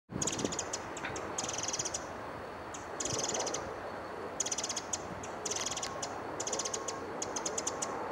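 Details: Pacific Wren on Iona Island, Vancouver, BC, gives very high, rapid ticking bursts, each under half a second, repeated in quick bouts over a steady rushing background.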